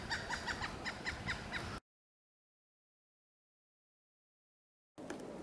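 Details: Pileated woodpecker calling: a quick, even series of about eight short, similar notes in under two seconds, followed by a silent gap and then a rough, noisy background.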